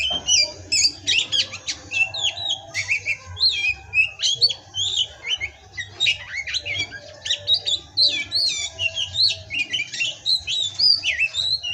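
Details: Pastol-style kacer song from an Oriental magpie-robin: a dense, rapid stream of clicks, chattering notes and bright whistled upslurs running continuously for about twelve seconds.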